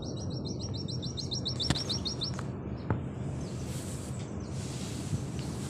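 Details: Oriental white-eye of the Auri type rattles off a quick series of about twelve high repeated chips, then falls silent beneath steady low background noise with a few clicks.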